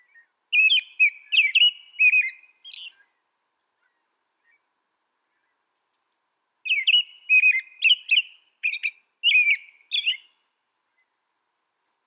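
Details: Two bouts of American robin song, each a run of several bright whistled, warbling phrases lasting a few seconds, split by a quiet pause of about four seconds.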